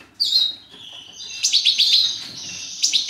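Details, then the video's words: A goldfinch of the major race bred in captivity opens with a drawn-out descending whistle, then a sustained buzzy note studded with quick sharp chips. "Breeding carduelis major"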